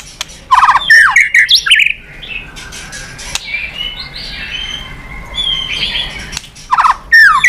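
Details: White-rumped shama, meant to stir other birds into singing: a short burst of rapid whistled and chattering notes, a long quieter stretch with faint warbling, then another loud bright phrase at the end.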